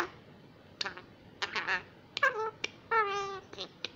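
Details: Adopted young female common myna, a wild bird deemed invasive in Israel, at an early Hebrew lesson: harmonic, whiny, voice-like phrases, some drawn out and wavering, mixed with short clicks, indoors.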